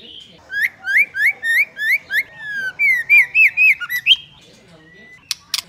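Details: Female white-rumped shama voice meant to stimulate males: a long run of rolling, upward-hooked whistled notes, then looping slurred whistles and a thin steady tone, closing with two sharp clicks.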